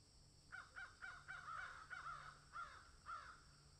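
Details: Crows in a field giving a series of harsh, hoarse caws, about two per second, some doubled and overlapping, over a low steady hum.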